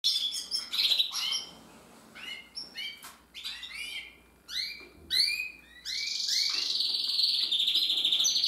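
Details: A Gloster canary (Belgian canary) sings a bright, high run of quick chirps and rolling warbles, ending in a long, sustained trill.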